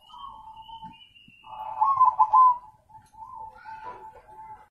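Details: Zebra dove: a quiet purr, then a loud bubbling trilled phrase and softer trailing coos, with a faint high whistle-like tone early on.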